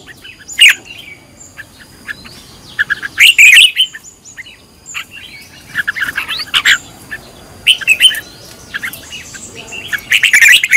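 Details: Red-whiskered bulbul in decoy training, scattered bright warbled phrases at intervals, with quieter stretches between bursts.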